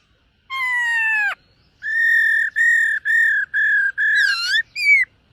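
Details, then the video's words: Silver-eared laughingthrush, a caged bird in morning voice training, gives a long falling whistle followed by a series of five steady level whistled notes and a short rising upslurred note. "Khướu BẠC MÁ hót MÚA luyện giọng . Khướu hót sáng luyện giọng kích bổi"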